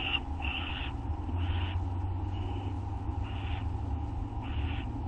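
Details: Owls at feeding time on the night of 6 August 2011, late at night, young helping themselves to food: repeated hissing, rasping screeches about every second, over a steady low hum.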